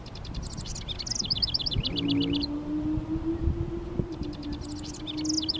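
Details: Singing male house wren defending its territory of bushes and a honeysuckle vine on a fence, sunny Mother's Day: two quick, effervescent bursts of high jumbled notes, separated by a steady low droning hum.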